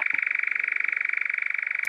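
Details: A male European nightjar's churr, given while perched in a tree after returning from equatorial Africa, as a sound of summer heathland: a dry, mechanical, unbroken trill of about 40 pulses per second on one steady pitch, with a couple of faint clicks.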